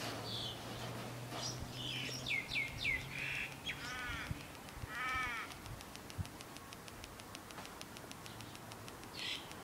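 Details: A pet Australian cockatoo gives harsh, grating screeches and a few nasal, ringing squawks, followed by a fast run of dry ticking; a low hum runs underneath at the start.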